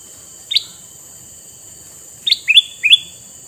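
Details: Male red-eyed sooty-headed bulbul, kept as a lure for wild bulbuls: one short bright rising note, a pause of nearly two seconds, then three quick upward-sliding chirps. A steady high hiss runs beneath.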